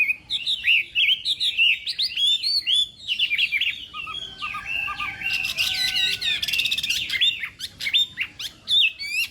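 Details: Chinese hwamei singing in a contest during morning voice practice: a continuous, varied run of sharp whistles and fast warbles, steeply rising and falling notes, and a burst of dense chattering midway.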